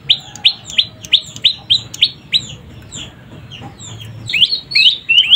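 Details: Juvenile prenjak lumut prinia, calling energetically: a quick string of sharp high chirps that fades midway, then louder buzzy, slurred notes near the end, over a low background hum.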